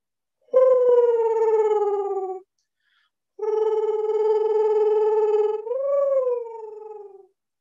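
Eastern Screech-Owl giving two low, steady, tremulous trills. The first lasts about two seconds; the second runs about four and lifts briefly in pitch near the end.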